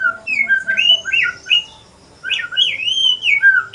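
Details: Shama from Aceh, a male in chatty pastol-style song, delivering fluid, looping whistled phrases that swoop up and down. One short pause splits the phrases.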